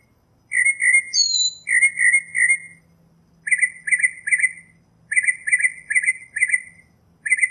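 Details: Northern mockingbird singing a varied series of phrases: a burbling double note repeated, a brief descending whistle, then clusters of short chirping notes repeated three or four times each.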